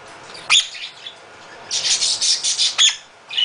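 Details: Half-moon conure, a male kept at a bird rescue and known for being very loud, lets out sharp piercing screeches followed by a run of rapid harsh chatter.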